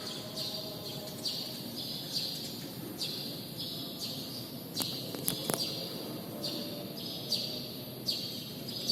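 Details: Sparrows inside a badminton hall give short, bright chirps about once a second, some in quick double notes, over a steady low hum of background noise.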